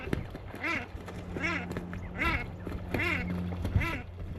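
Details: Common Shelducks give harsh, nasal quacking notes, five in a row under a second apart, over a faint low hum, in the Manych steppe, Russia, on the morning of 23 April 2024, near a nesting stilt.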